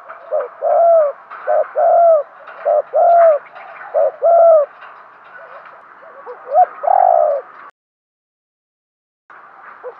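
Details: Captive decoy spotted dove giving its luring call: a run of low, mellow two-part coos, a clipped note then a longer rounded one, repeated about five times, then a quick slurred phrase and a brief silence.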